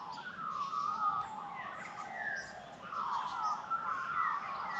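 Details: Australian magpie singing in the morning sunshine in the Australian bush, carolling in rich, warbling, fluted phrases that rise and fall in the mid-range, flowing almost without pause against a quiet outdoor background.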